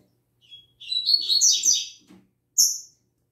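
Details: Morning song of a caged double-collared seedeater, a fast tumbling run of high, chattering, slurred notes over about a second, closed by a bright clear high whistle, with faint low tapping beneath.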